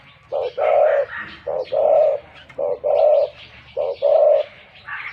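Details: Wild-caught spotted dove used as a working decoy bird, with a big voice, cooing steadily: paired phrases of a short note and a long, even coo repeated about once a second, faint chirps above.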